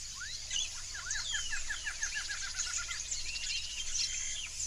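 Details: Wild Yellow-rumped Marshbirds in a Brazilian swamp give a chattering series of short rising notes, several birds overlapping, over a continuous high insect buzz and low background rumble.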